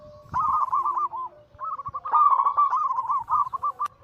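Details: Daily anggungan song from several zebra doves, Bangkok local and cemani katuranggan silver crosses, played to prompt singing. Bouncy coo runs, some overlapping, with a brief pause near the middle and a sharp click at the end.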